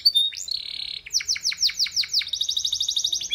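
A canary sings a bright, high phrase: a sweet note, then a run of quick downslurred chips, ending in a fast rolling trill.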